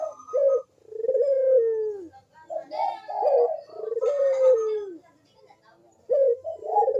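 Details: Barbary dove (puter) cooing energetically ('gacor manggung'), played to stir reluctant doves into calling. Deep, rolling coos, each drawn out and falling in pitch, alternate with short choppy 'kuk' notes, repeating steadily.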